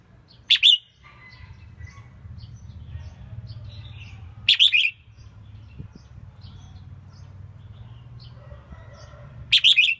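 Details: Female red-whiskered bulbul, a selected bird whose singing is used to stimulate males being trained for song contests; three short bright warbled phrases, each a quick cluster of two or three notes, spaced about four to five seconds apart over a low hum.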